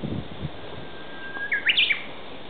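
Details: Japanese bush warbler singing in the woodland of an ecological garden: a long, thin, level whistle followed by a quick burst of higher, sharply rising and falling notes, over quiet background hum with a few low thumps.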